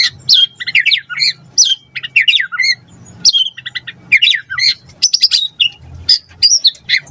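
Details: Energetic white-rumped shama song meant to draw a reply: dense run of varied whistles, slurs and chips, rapidly changing pitch, with a faint low hum underneath.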